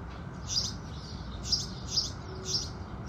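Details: Four spaced, moderately soft chirps from house sparrows at sunrise ring out over a low rumbling background.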